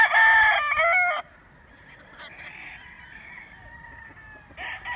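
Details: Loud rooster crow opens, bright and strongly layered, breaking into a second rising phrase before stopping after about a second; fainter, more distant crowing from other birds trails on underneath.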